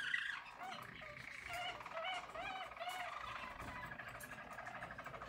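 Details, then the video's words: Singing yellow Harz German Roller canary, 2022; soft rolling tours with repeated curved whistles, steady and mellow. "Harz German Roller Canary singing"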